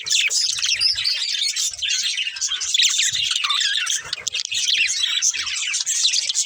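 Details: Budgie breeding pair chattering during a meal, rapid high-pitched warbles and squeaky chirps running without pause, faint low thumps beneath.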